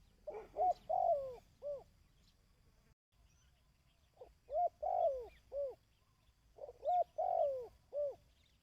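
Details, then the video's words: Dove call for conditioning decoy birds. Three cooing phrases, each a quick soft lead-in, a long coo dropping in pitch and a final separate note, are spaced about three seconds apart. Faint chirps lie behind them. "Tiếng Chim Cu|Kích Bổi ( Tập Mồi )"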